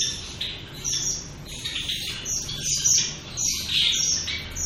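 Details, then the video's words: Shaft-tailed finches giving somewhat quieter high chirps, irregular and spaced about one per second, with thin ringing overtones and a steady low background murmur. "Shaft-tail finches"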